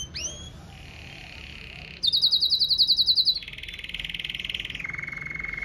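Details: Red Mosaic Agate canary singing strongly: upswept opening notes and a soft trill, then a loud, very fast high trill, followed by two progressively lower rolling tours.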